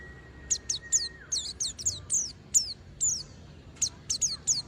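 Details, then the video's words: Oriental white-eye in continuous song meant to set other white-eyes singing: very high, thin, sharply slurred notes delivered in quick bursts of two to four, with a steady mid-pitched whistled tone at the start. "pleci berbunyi tiada henti DIJAMIN burung pleci lainya pasti ikutan berbunyi GACOR"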